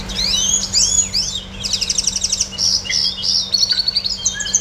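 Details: A pet red siskin singing a fast, high twittering run of sweeping whistles, buzzy trills and chattered notes, with a low steady hum underneath.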